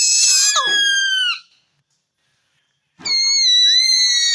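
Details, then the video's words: Tame ring-necked parrot kept at home with children, calling: two bursts of loud, harsh, strongly harmonic screeching notes that fall slightly in pitch, separated by about a second and a half of silence. "Parrot Talking Video|Ring Neck Parrot|Green Parrot Talking|Tamed Parrot|Parrot Voice"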